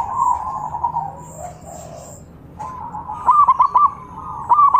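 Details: Zebra dove cooing to provoke answering calls; soft blurred cooing at first, a quiet gap, then crisp stuttering coo phrases from a nearer bird.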